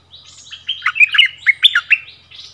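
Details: Bulbul in a double-song duel with a resident territory holder: a short jumble of rich, warbled chirps rising and falling over about two seconds.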